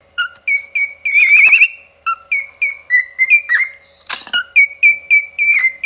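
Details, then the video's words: A pet cockatiel's opera-like singing: clear whistled notes strung into fast repeated phrases, a brief warble, one short sharp click or knock midway, over a faint constant hum. "cute opera singing moments of my adorable cockatiel"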